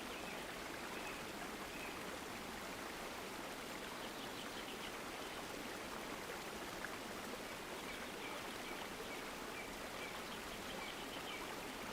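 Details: Steady rushing of a stream, a broad even wash of flowing water with no clear animal calls.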